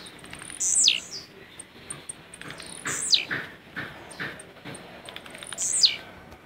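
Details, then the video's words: Caged blue-black grassquit from Jacarepaguá, Rio de Janeiro, singing in the "lança rojão" style: three short, high, buzzy notes that sweep sharply downward, given about every two and a half seconds, with faint ticking sounds between them. "Tiziu LANÇA ROJÃO"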